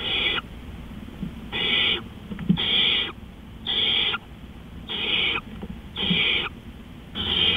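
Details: Owl calling at night around 3:15 AM on 20 April 2013: harsh, hissing screeches, each about half a second long, repeated roughly every second, with low rustling and thumps between them.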